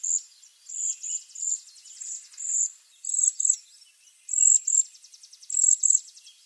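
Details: High, shimmering trills from a waxwing, short bursts mostly coming in twos, repeated at irregular intervals with quiet between them.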